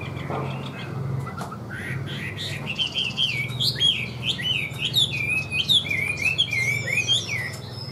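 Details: Caged Chinese hwamei in full song, a loud, continuous flow of rich whistled notes that bend up and down and change pitch rapidly, with few pauses, over a faint low room hum.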